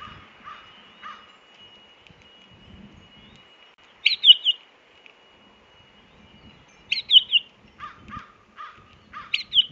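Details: Pine grosbeak calling while foraging, filmed on a feeder cam on April 10, 2018 at 19:56: short bursts of bright warbled notes, several in quick sequence, with softer lower chirps between and a faint steady tone in the background.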